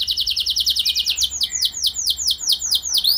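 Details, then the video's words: Short stretch of canary lure song for prompting other canaries: a quick series of high rising-falling notes that slows into broader downward-sweeping whistles, repeated steadily. "Langsung Gacor Dor Burung Kenari Mana Saja Dengan Pancingan Ini! Pasti Nyaut Ikut Gacor"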